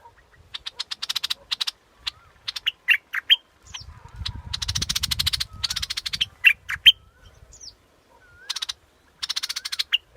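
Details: Scarlet-backed flowerpecker: bursts of fast, buzzy ticking notes alternate with single sharp chips, while a low rumbling background noise swells midway and faint whistles sound between bursts.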